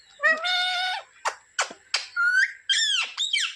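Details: Pet talking parrot in a small room giving a drawn-out harmonic speech-like syllable, several short sharp notes, a rising whistle and a final falling squawky phrase.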